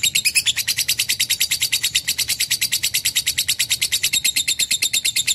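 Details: Rapid, scratchy chatter from a lovebird, a long unbroken string of high notes repeated about eight times a second and wavering slightly in pitch.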